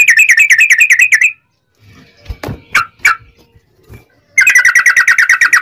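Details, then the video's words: Yellow-vented bulbul long rolling 'ropel' song used to make rival bulbuls sing. Fast trilled bursts of bubbly notes at the start and end, with a few harsh scratchy notes in the pause between. "trucukan ropel panjang TARUNG PANCINGAN TRUCUKAN agar bunyi"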